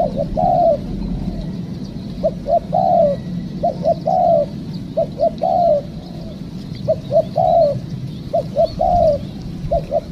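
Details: Spotted dove calling during a trapping session with a trained decoy, a wild bird caught; clear phrases of two or three short hoots then a longer falling coo, repeated about eight times over a steady low hum.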